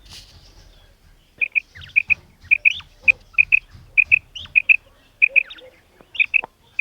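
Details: High twin pips from a calling female common quail follow a soft opening second, then repeat about a dozen times in a brisk, slightly uneven rhythm, with faint squeaky notes in between.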